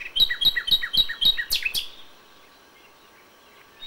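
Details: Common nightingale at dawn in May, sound original: five evenly spaced, ringing notes repeated about four per second, followed by two harsh, buzzy bursts, then fading to quiet.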